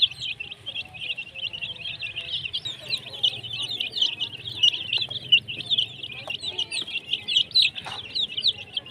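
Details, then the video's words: Baby chickens peeping nonstop: many overlapping high, short chirps form a steady shrill chorus, with a faint low hum underneath. "baby chicken chirping sound"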